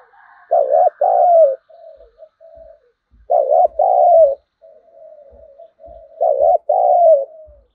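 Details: Spotted dove lure bird calling to provoke wild birds into fighting; loud two-part throaty coos repeated about every three seconds, each followed by softer trailing coo notes, no other sounds.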